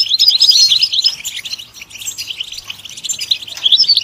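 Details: A European goldfinch delivers a rapid chattering song, loud at first, dipping quieter mid-phrase, then rising again with sharp high twitters.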